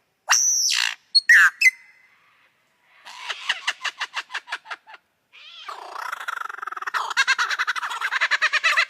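A lyrebird pours out a varied medley: loud whistled notes, a fast series of sharp clicks, then harsh rattling phrases in quick rhythmic bursts.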